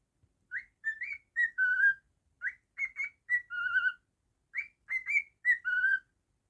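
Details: Pet cockatiel whistling the same short tune three times indoors, each a string of brisk upswept notes finishing on a longer, lower held whistle, with near silence between.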